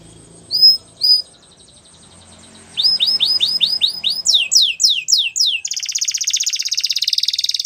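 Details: Canary training song opening with two separated high whistles, then rising-falling swept chirps repeated in series, ending in a dense, fast buzzy trill, over faint low background noise.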